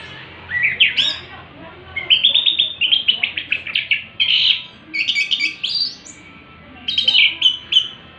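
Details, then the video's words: Orange-headed thrush in full, excited song in the afternoon: rapid series of sweet whistled and trilled phrases, repeated rhythmic notes in quick runs, with brief gaps between phrases. "burung Anis merah teler di sore hari"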